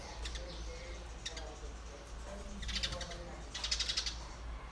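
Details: Eurasian tree sparrows ("maya") in the Philippines give sharp, dry chirps in loose bursts, thickest near the end, over a steady low rumble of background noise.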